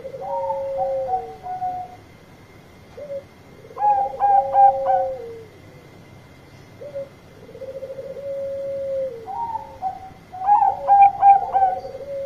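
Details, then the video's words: Loud calling song of a Bangkok zebra dove summoning companions: phrases of low, mellow coos break into rapid rolling clusters of three or four bright, bubbling notes. The pattern repeats about every six seconds, with a faint steady hum behind. "Perkutut Bangkok Gacor Suara Keras Panggil Teman"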